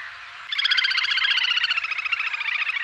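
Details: Little grebe bursts into a loud, fast whinnying trill after a brief quiet start, rapid even pulses continuing for over two seconds with a slight fall in pitch near the end.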